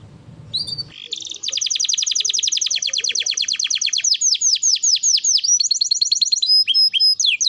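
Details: Vigorous canary song to encourage other canaries to sing: after a brief low noise, a long rapid trill that gradually becomes slower, wider swooping notes, ending in clear high whistles.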